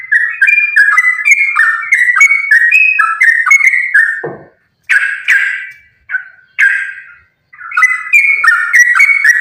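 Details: Sooty-headed bulbul in fighting-style song, used as a lure to make other bulbuls sing: dense runs of rich, bubbly whistled notes chaining rapidly up and down, a short pause near the middle, then renewed chattering phrases.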